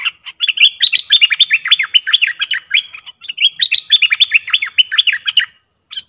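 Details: Streak-eared bulbul singing: two bursts of rapid, bubbly, chattering notes in quick succession, each burst lasting about two to three seconds with a brief pause between, bright and mid-high in pitch, no other clear sounds.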